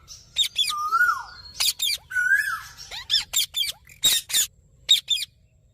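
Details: Green parrot giving a few clear sliding whistles among choppy, scratchy squawks and short harsh notes, delivered unevenly.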